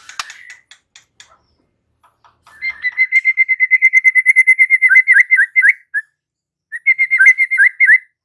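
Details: Murai batu, the white-rumped shama, opening with scattered clicks, then a long series of rapid repeated whistled notes that breaks into swooping phrases after a short pause.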